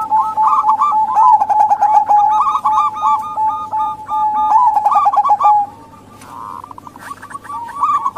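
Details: Local zebra dove female, used to lure males that are slow to sing or wild doves: long runs of rapid, clipped coos at a steady mid pitch, a softer pause near the end, then renewed bursts.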